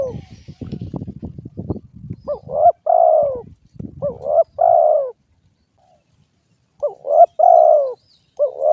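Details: Spotted dove cooing: low mellow coos in short grouped phrases, a brief rising note followed by a longer throaty coo, repeated several times with pauses between. Low rumbling noise comes first.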